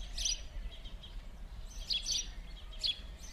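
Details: Chattering house sparrows in winter play, Verdun, Montréal, January 2016: a few sharp, metallic chirps, one early burst and a tighter cluster later, with low rumbling city noise beneath.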